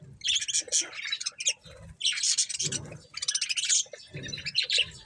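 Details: Several budgerigars eating corn chatter in three or four bursts of rapid, raspy high chirps, with dull low knocks in between.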